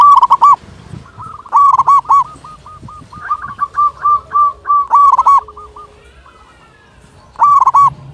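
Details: Loud local zebra dove in strong song; bursts of rich, bubbling coos alternate with faster runs of short clipped notes, with pauses between phrases.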